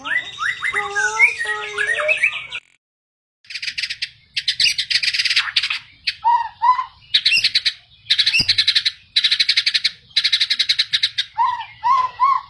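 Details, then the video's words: Agitated white-rumped shama in full song, meant to provoke other shamas into singing and fighting: low fluting whistled phrases, then loud buzzy, rattling bursts alternating with short rising whistles after a brief pause. "Murai Batu Ngamuk Rekomended untuk Pancing MB lain ikut Gacor + Fighter"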